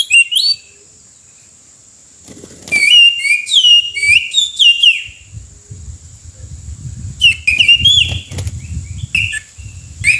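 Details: Oriental magpie-robin, wild, heard by the roadside during bird trapping: bursts of rich, varied whistled phrases with quick up-and-down slurs, separated by short pauses, over a steady thin high tone, with low rumbling noise in the second half.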